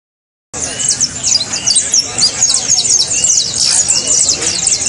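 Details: Saffron finch song, played to get a silent cage bird singing: dense, overlapping high chirps and quick downslurred notes form a continuous busy chorus after a half-second of silence.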